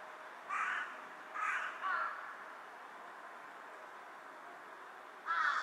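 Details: Loud, rasping caws from a carrion crow bowing on a power line, 18 July 2023: three in quick succession, a pause of about three seconds, then another.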